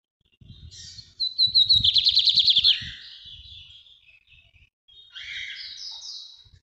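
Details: Lined seedeater, called bigodinho in Brazil, performing the northeast tutoring song: a loud rhythmic trill of about a dozen buzzy pulses, then gentler sliding whistles, with faint low thumps beneath.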